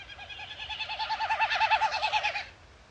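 A Wilson's snipe gives a hollow, fluttering series of quick pulses, about a dozen per second. It swells slightly in pitch and loudness over two seconds, then fades.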